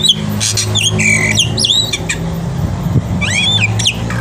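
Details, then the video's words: Black-winged myna singing in the morning as a tutor for young birds: loud swooping whistles and harsh squawks, ending with a rising-falling whistled phrase, against steady low hum. "jalak putih gacor pagi hari untuk masteran burung jalak muda"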